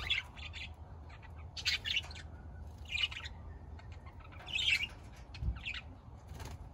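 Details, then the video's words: Budgerigar chirps come in short raspy clusters about every second or so, scratchy and mid-high, with quiet gaps between the bursts and a faint low hum underneath. "BUDGERIGAR BIRDS"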